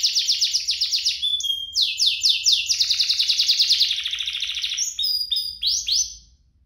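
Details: Canary song used to stimulate canaries into singing; fast repeated falling notes blend into a long rolling trill, a few whistled tones, then the phrase fades out.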